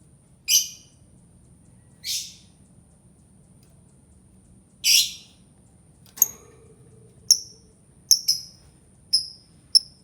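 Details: Albino lovebird uttering sharp, shrill chirps spaced about a second apart, the early ones broader and harsher, later ones short, clean and piercing, with a faint low thud midway.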